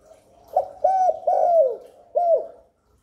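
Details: Spotted dove cooing to lure and stimulate other doves, a series of low, mellow coos, the last ones long and falling in pitch, in a quiet setting.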